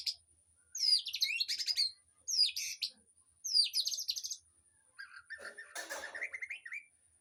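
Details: Aviary songbirds serving as a training model for a white-rumped shama: three separate bursts of high, buzzy chattering phrases, then a lower, rougher scratchy chatter with a wavering note.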